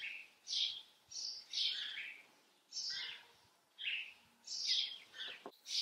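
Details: House sparrows watched on camera give scattered loud chirps, some sliding downward, spaced irregularly about every second, with a quieter background and a brief clicking noise near the end.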